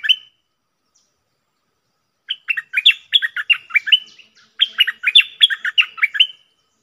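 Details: After a long silence a cream-vented bulbul delivers two quick runs of bubbly, slurred whistled notes in its double song style, recorded 18 June 2021.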